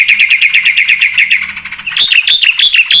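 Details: Black-winged starling in energetic song full of varied phrases: a steady string of rapid buzzy chirps, then sharper high whistled notes bouncing up and down in quick rhythm.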